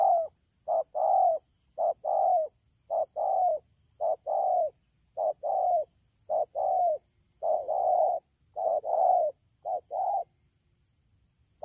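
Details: Wild-caught spotted dove recorded in Đak Tô on 3 October 2019 during the rainy season, calling in a fast style: low hollow coos in short-long pairs, about a dozen pairs in quick succession, over a faint steady high whine.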